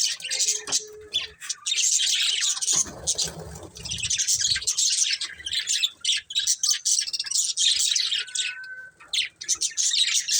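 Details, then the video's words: Budgerigar breeding pair chirping: long stretches of busy high-pitched warbling and chirps, broken by short gaps, with brief low rustling in the middle. "Cute Colourful Budgies Chirping Sounds"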